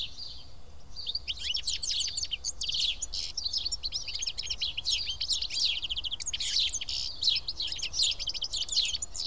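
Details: A flock of house sparrows sitting and feeding together at Karyotissa, Greece, keeps up a dense, overlapping chatter of sharp chirps after a quiet first second, with steady low background noise.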